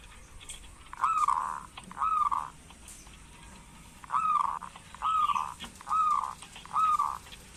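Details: Local zebra dove, recorded to encourage lazy doves to call: six drawn-out, slightly arched coos, each about half a second, given roughly once a second with uneven gaps, over quiet background hiss.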